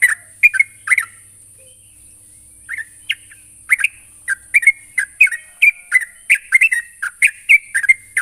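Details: Sooty-headed bulbul calling to provoke a rival: quick clipped chirps dropping in pitch, scattered at first then coming in fast clusters toward the end, over a constant high-pitched hiss.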